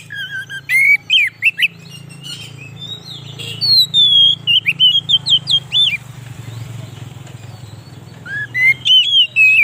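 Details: Oriental magpie-robin song used as a lure for wild birds and to excite others: clear slurred whistles, a long descending glide and rapid warbled notes over a constant engine-like rumble.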